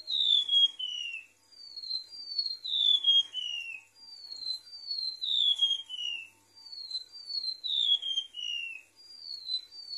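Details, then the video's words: Golden-bellied gerygone song for luring birds: clear, thin whistled notes sliding downward, grouped into falling sequences repeated steadily, roughly every two to three seconds, across the recording. "PANCINGAN MASTERAN PIKAT SUARA REMANTUK LAUT"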